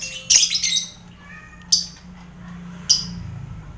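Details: Shrill lovebird squawks from a crowded colony cage housing finches and quail, meant for mental training of competition birds; three harsh, noisy bursts spaced about a second apart over a low steady hum.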